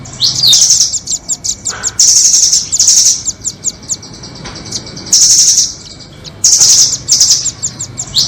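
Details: Nuthatches, the doraemon nuthatch and the red-billed nuthatch, in lure audio for trapping birds: bursts of shrill, high, rapid chattering trills alternating with short sharp repeated chips, with loud trilled runs near two, five and six-and-a-half seconds.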